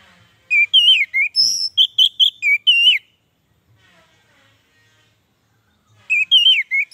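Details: Song of the orange-headed thrush, offered as therapy and lure for caged birds slow to sing: a burst of around ten varied whistled notes over two and a half seconds, a long pause, then another short whistled phrase.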